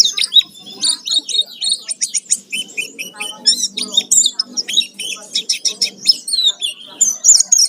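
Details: Oriental white-eye in energetic full fill-in song, a lure to provoke singing: rapid, jumbled high chirps, squeaks and short trills packed closely together throughout.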